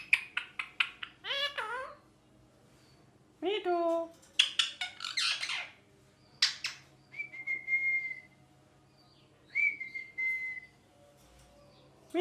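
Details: Pet ringneck parakeet gives a mix of harsh, falling squawks and clipped chirps, broken by two long, steady whistled notes, in an otherwise quiet room.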